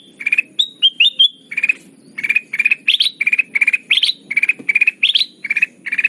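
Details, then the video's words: Lure call of sooty-headed bulbul for trapping birds, opening with a few clear whistled notes, then steady bursts of quick chattering notes repeated roughly every half second, some ending on a higher, rising tone. "Suara pikat burung kutilang emas"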